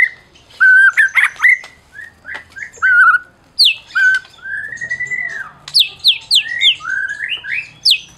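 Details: Prize-winning Medan white-rumped shama singing to goad mute shamas: clear whistled notes, a long rising-then-falling slurred whistle, then quick descending high whistles in a run, with gaps of quiet between phrases.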